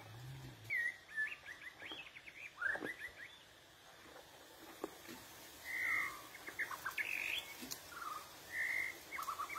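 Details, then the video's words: White-rumped shama singing forest-style song in short, rich whistled phrases, some rising, some falling, with brief pauses between them, over a faint background hiss. "Luyện Giọng Chòe Lửa Hót Chuẩn Giọng Rừng"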